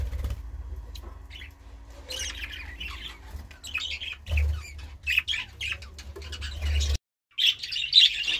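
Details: Harsh budgerigar squawks and chattering notes come in uneven bursts, with a brief silent gap near the end and a low background hum throughout.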